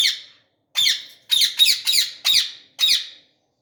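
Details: Flying long-tailed Indian ringneck parakeet, red beak and yellow wing, repeating grating, buzzy squawks, seven calls in three seconds, some closely paired, each sharply starting and fading, in an otherwise quiet setting.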